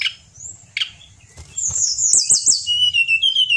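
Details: Caged pied bushchat singing as a master song for training songbirds: a few sharp clicks, then a loud run of high trilled whistles ending in a level buzzy note, over a faint low hum.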